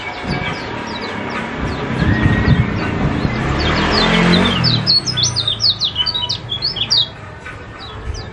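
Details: Kecial kuning white-eye from Lombok, Indonesia, a lure recording meant to start a silent bird singing: a burst of rapid, high, thin chirping notes after five seconds over a steady hum and low background rumble.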